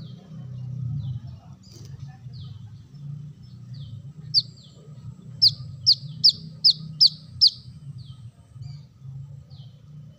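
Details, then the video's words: Brown-throated sunbird, played as a lure for birds: faint scattered high chips, then six loud, sharp descending notes in a fast run, over a constant low rumbling hum. "Kolibri kelapa | kolibri manggar | wiceh | suara pancingan burung korlap"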